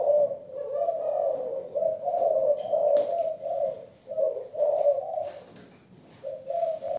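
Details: Malaysian-type young hen spotted dove in 'giọng thổ' style, delivering repeated low cooing phrases in rounded bursts separated by short pauses, with a few faint clicks and knocks behind.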